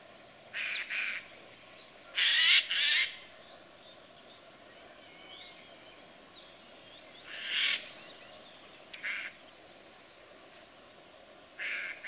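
A European goldfinch gives short bursts of bright, tinkling twitters over a steady low hum.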